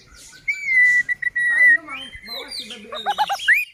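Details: White-rumped shama song used to excite and agitate other shamas: a long, steady, drawn-out whistle, then a few lower warbled notes, quick stacked chirps and a final rising whistle.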